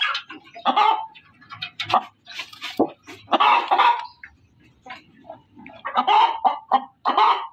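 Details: Hen calling loudly: irregular harsh clucks and long squawking cackles, some overlapping, with quieter clucks and faint low rumbling between the louder bursts.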